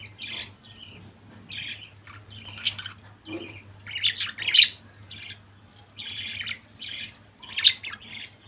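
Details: A family of pet budgies chatters with scratchy squawks and chirps, scattered irregularly, some harsher notes louder than others, over a faint constant low hum.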